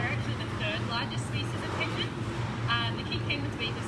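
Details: Captive King penguins in a colony at SEA LIFE Sydney Aquarium give brief, buzzy, harmonic trumpeting phrases, singing to communicate with individually distinct voices, over a steady low machinery hum and faint people's voices.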